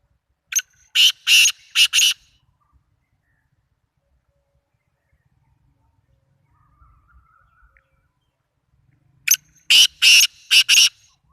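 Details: Black francolin in Sindh, Pakistan: two loud harsh bursts of four to five grating notes, the first near the start and the second about eight seconds later, with near silence between them.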